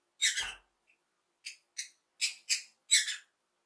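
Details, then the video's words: Lovebird chirping happily: a harsh, shrill broadband squawk, then a pause and a run of five short, scratchy chirps, each sharper at the top and fading quickly. "Lovebird Sounds - Lovebird happy chirping"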